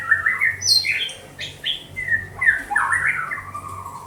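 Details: White-rumped shama in Banda Aceh singing rapid mellow whistles and rolling warbles, interspersed with sharp high downslurs and a faint thin high whistle.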